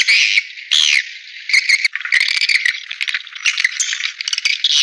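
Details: Playback of swiftlet calls for drawing the birds to bird houses: a busy, high twittering rattle with sliding chirps and uneven bursts of chatter throughout.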